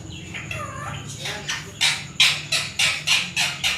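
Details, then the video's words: Pet talking parrot mimicking human speech in Sindhi and Urdu, phrases like "mithu put" and "miyan mithu"; an early wavering, voice-like phrase gives way to a run of short harsh bursts, roughly three per second, over low background hum. "funny talking parrot, sindhi bi bolta ha urdu bi"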